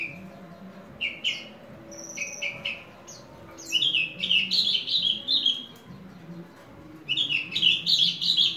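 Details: Horsfield's bush lark, a hobby bird, opening with scattered high chirps, then launching into dense, buzzy, rapidly repeated phrases that rise and fall in pitch, with faint low background hum.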